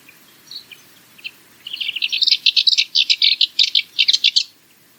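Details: A Cyprus Warbler gives its monotonous rattle, a few scattered soft notes leading into a dense three-second stream of quick, dry, chattering notes.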